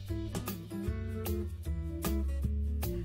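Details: Plucked guitar music with steady strummed chords and a deep repeating bass line, no animal voice heard.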